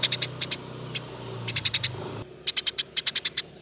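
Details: Singing Eurasian tree sparrow, 'gacor' and rolling, used as a training recording: quick groups of crisp high chirps, some isolated notes, and a low humming background that drops away midway.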